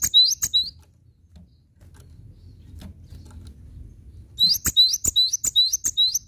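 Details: Lively Cinereous tit song in masteran style: a short burst of rising whistled notes with sharp clicks, several seconds of near-quiet low rumble, then a second rapid run of about five upslurred whistles with high ticks.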